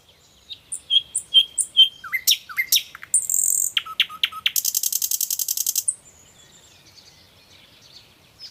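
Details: A Common nightingale sings a varied phrase: four clear repeated whistles, a few sharp down-slurred notes, a harsh buzz, then a fast rattling trill of about twenty notes, ending in quiet.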